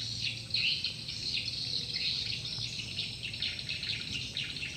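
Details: Swiftlets circling at a lure call: busy, high-pitched twittering with quick downward chirps, many birds calling at once, steady low hum beneath.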